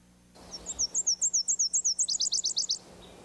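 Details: A Northern Parula, a summer warbler of eastern North America, sings its rising, buzzy song, a very high series of about fourteen quick, slurred notes that speed up and climb into sharper, rising notes at the end.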